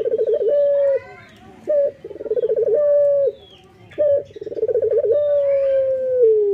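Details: Local male Barbary dove singing actively in the morning: a brief high note, then a rolling, pulsed coo that settles into a long, drawn, slowly falling tone. The phrase repeats about every two and a half seconds.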